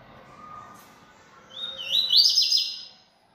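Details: Yellow-bellied seedeater, a bold kept male singing a lot, gives one rapid phrase: a thin rising whistle run into a bright, buzzy stream of fast repeated high notes that fades out, with faint low hum behind.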